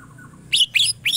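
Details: Greater green leafbird, Indonesian cucak ijo in the energetic njegrik style, giving three loud buzzy chattering notes in quick succession, each sweeping upward and fanning high, after a faint soft warbled lead-in.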